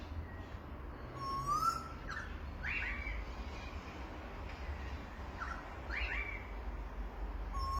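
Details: Australian birds calling: a high fine twitter, a sliding whistled note and several bright doubled chirps repeated every second or two, set against continuous low background rumble.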